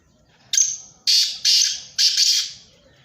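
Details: Black francolin calling: a loud series of harsh, grating notes, one thin opening note followed by three broad rasping bursts about half a second apart, each with a slight double pulse.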